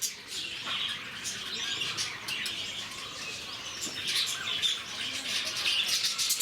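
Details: Flock of lovebirds kept at Bannerghatta Zoo, Bangalore, calling together: dense, high-pitched twittering and sharp squeaks run on continuously, many birds chirping at once in a busy, shrill chorus.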